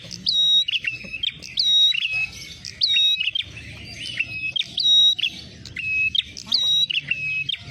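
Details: Trapping lure of the ashy tailorbird: loud, high, clear whistles alternating with lower sliding chirps, delivered in tight phrases about every second, the pattern repeated steadily throughout.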